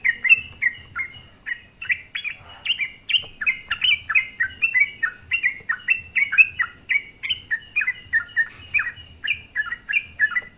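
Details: Sooty-headed bulbul song used as a lure to rile other bulbuls; continuous rapid chattering of bright whistled notes, rising and falling, densely packed over ten seconds.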